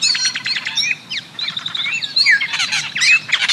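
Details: Tordo, or Austral Blackbird, from Chile, a group-living species with some of the country's most complex vocalizations; rapid chattering bursts alternate with clear descending and rising whistles and sharp, crackling notes in a fast, varied sequence.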